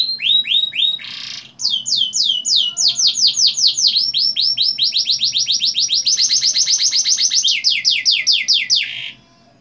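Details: Long rolling song of a canary, played as a lure so young canaries start singing quickly: brisk down-slurred whistled notes running into sustained rapid trills, loud and continuous for about nine seconds.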